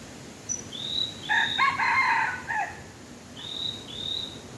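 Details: Red junglefowl being lured with a domestic chicken: a harmonic, multi-part crow of about 1.3 seconds, rough and stepped, while thin rising whistles from another bird sound before and after it.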